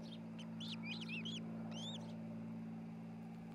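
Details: Osprey pair at their nest near Charlo, Montana, on a nest camera, 27 June 2018 early afternoon: quick series of high, whistled, arching chirps, clustered then pausing, over a steady low electrical hum.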